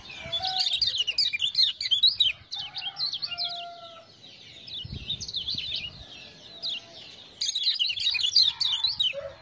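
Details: Lemon-bellied white-eye (kecial kuning) from Lombok, a tutor bird for other songbirds, singing loudly in response to ciak-ciak prompting sounds: rapid, high, twittering chatter in dense bursts, with lower drawn-out whistled notes in the middle section.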